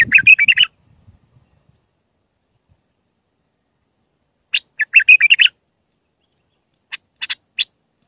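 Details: Iraqi bulbul in raw Mandali song style, sung for tutoring chicks: a burst of chattering warbles, a pause, a second busy phrase, then a few isolated sharp notes. A faint low thump comes at the start.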